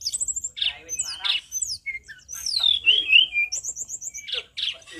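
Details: Tledekan gunung at full voice: chattering bursts mixed with sweeping slurred whistles, a long descending warble in the middle and a run of quick repeated high notes near the end.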